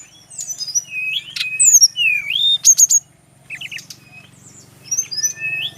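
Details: Kept male Brown-chested jungle flycatcher from Bali singing in spurts: swooping whistles and sharp high bursts, a short pause, then scattered chirps and slurred notes over steady low hum.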